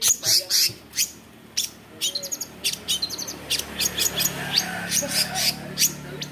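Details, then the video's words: Long-tailed shrike (cendet), which imitates other birds, producing thin, very high, quick chips and squeaks in an irregular stream over a low hum. "CENDET GACOR. Long-tailed shrike bird."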